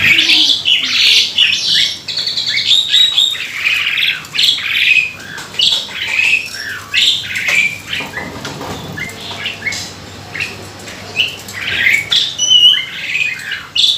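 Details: Lure song of a jalak suren (Asian pied starling), a bird that imitates many other species: a long, varied stream of quick chirps, squeaks and whistled slurs, nearly continuous with short gaps.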